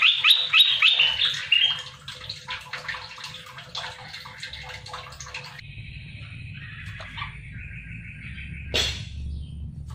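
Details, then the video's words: Red-eyed bulbul (merbah belukar mata merah), a wild-caught bird kept about 3 months, singing loudly as a lure call: rapid, loud, bubbly chattering, then softer sustained warbled phrases and a sharp final note over a low background hum. "Merbah belukar gacor,merbah belukar mata merah"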